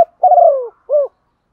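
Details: Calling female spotted dove stimulating males: a single long coo sliding gently downward, followed after a short pause by one brief rounded note.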